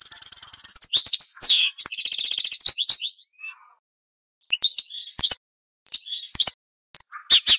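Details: European goldfinch song: rapid bursts of bright twittering and buzzy trills, with sharp clicks and quick chirps, broken by short pauses of about a second, then resuming in lively tinkling phrases.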